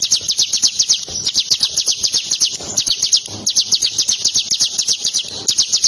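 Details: Steady, rapid string of high-pitched chipping notes repeated several times a second from a tame bar-winged prinia being played with by hand, with a few soft low thumps.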